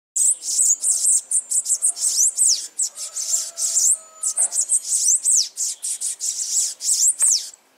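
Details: Bananaquit (Coereba flaveola) pours out a rapid, very high, thin song of hissing, buzzy notes and squeaky slurs, with barely a break for nearly eight seconds.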